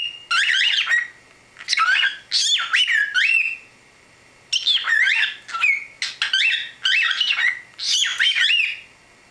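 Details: A pet cockatiel (Nymphicus hollandicus) chatters in squeaky, warbling, speech-like bursts about a second long, talking mimicry; it can say "let's go tiki bird" and "see you later".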